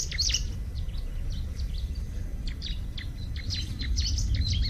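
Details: Bar-winged prinia calling outdoors: fast, scratchy high chirps and twitters repeated about three times a second, all through the recording, over a constant loud low hum.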